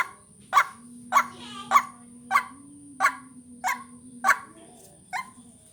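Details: White-breasted waterhen (ruak-ruak) lure call: about nine harsh croaking notes roughly 0.6 seconds apart, the last ones fainter, set against a constant high tone and a low humming drone.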